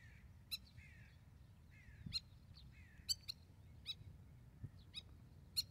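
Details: Spur-winged lapwing, a protective parent raising chicks in Israel, near a horse. Sharp, clipped broadband calls repeat irregularly, several close together, with soft downslurred whistles between them over a low rural rumble.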